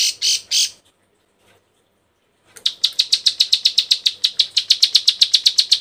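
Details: Bar-winged prinia female in breeding condition calls males. Three harsh bursts are followed by a pause, then a fast, even run of sharp ticking chirps, roughly four per second.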